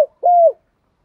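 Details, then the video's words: One drawn, even coo from a spotted dove used as a lure for wild doves, steady in pitch and dipping slightly at the close, followed by silence. "tiếng chim cu gáy mồi dùng kích bổi hàng ngày hiệu quả/ thúc & gáy gọi"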